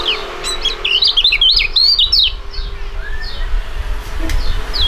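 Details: Two young Indonesian songbirds of fighting type, contest birds, singing together in a duet; a dense burst of high, quick, sharply slurred chirps in the first two seconds, then sparser scattered chirps over low background hum.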